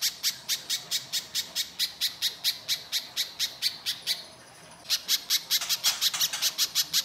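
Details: Little spiderhunter lure song meant to prompt other birds to sing: evenly paced high, sharp chips that stop for a brief half-second gap, then resume slightly faster and busier.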